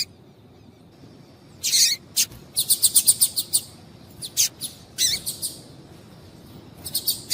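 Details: A female double-collared seedeater is calling to get a male going. A harsh, high burst opens a rapid run of short chirps, then scattered sharp chips follow over several seconds.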